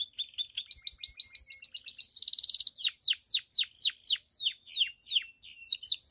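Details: Bell-style singing from a pied Belgian canary, aimed at stimulating other canaries and hens: rapid chirped notes, a short dense buzzy trill, then evenly spaced downward-sliding whistles about three per second.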